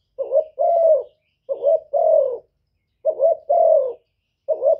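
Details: Spotted dove calling to challenge males. Clear repeated phrases each open with a short quavering note and end in a long, full, slowly falling coo, about one phrase every one and a half seconds.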